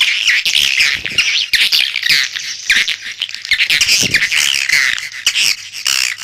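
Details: Chorus of swiftlets: shrill, scratchy twittering and squeaky chirps overlapping continuously, rising and falling in loudness in short bursts.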